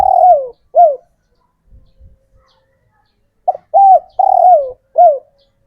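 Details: Local male spotted dove, kept bird from the wild, calling to draw in females and prompt other birds to sing. The tail of one phrase, soft low thumps, then a complete four-note coo with a long falling middle note.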